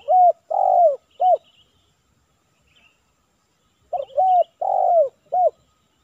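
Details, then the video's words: Spotted dove cooing during a morning trapping session in Silaban village, Indonesia: two phrases of three to four low, soft, slightly downslurred hoots about four seconds apart, with faint higher small-bird chirps behind; the target dove responded poorly. "Target Kuk 3 - Tekukur Hiburan"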